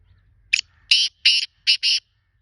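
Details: Black francolin call phrase: a short clipped opening note, then four loud rasping notes in two pairs, harsh and buzzy, over a quiet background.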